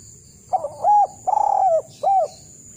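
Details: Eurasian collared dove giving the kuk 1 calling style, used to train birds to call: a short note, then three mellow coos, the long middle one trembling, with a steady thin high tone behind.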